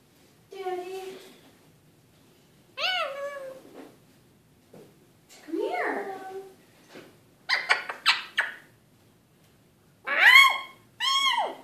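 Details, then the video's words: A pet Eclectus parrot talks in the evening in short, speech-like bursts with rising and falling pitch, about six phrases with pauses between, in a quiet room. "Evening talk with Eclectus Parrot"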